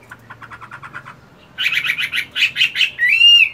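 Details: Caged fighting Chinese hwamei, moulting yet kept at morning voice practice: a quick series of soft clipped notes, then louder, fast chattering phrases, ending in a clear sustained ringing whistle.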